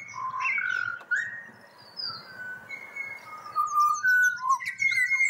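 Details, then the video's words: A pied butcherbird in Australia sings rich, low fluted whistles that slide up and down in a slow, wandering phrase, answering a person who prompts it to sing. Thin, high chirps from other small birds join near the end. "Serenaded by Pied Butcherbird"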